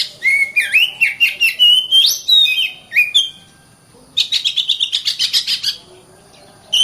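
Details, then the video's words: Kacer, the Oriental magpie-robin, in dense 'gacor rapat' song: a quick series of varied whistles swooping up and down for three seconds, a pause, then a fast harsh chattering sequence of about a dozen notes, and a final rasp. "BURUNG KACER GACOR RAPAT"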